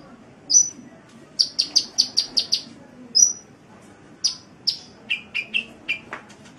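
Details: Kolibri (sunbird) in full gacor song for training caged songbirds: a fast string of high ticking notes, single piercing chips, then a descending series of lower chirps.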